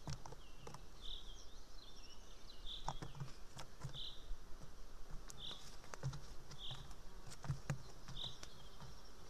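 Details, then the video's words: Juvenile white-tailed eagle, still unable to fly, screaming loud and close near the nest at 8:36 am on 8 July 2018 while its mother eats a fish she brought; short piercing cries repeat about every one to two seconds over clicks and background hiss. "Sulvi is screaming near"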